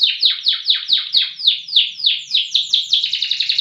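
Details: Contest-grade loper canary, a style prized for long, loud singing, delivers a series of clear downward-sweeping notes at about four per second, then speeds them into a dense, quicker trill toward the end. Only faint indoor clicks sit underneath.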